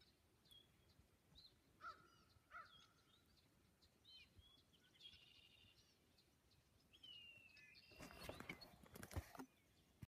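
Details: A group of red-winged blackbirds giving separate clear whistled notes, a buzzy trill and a falling note, followed by a loud burst of broadband rustling noise near the end.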